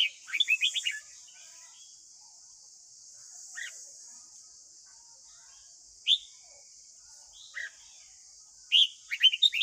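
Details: Red-whiskered bulbul morning song, played to a young captive bird to train it: a fast phrase of whistles opens, then a few scattered single notes, and a closing burst of bright notes over a steady hiss.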